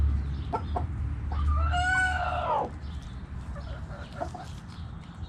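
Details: Backyard rooster crowing: one long harmonic crow that rises, holds, then falls away over about a second, with short clucks before and after, small birds chirping high in the background and a low steady rumble.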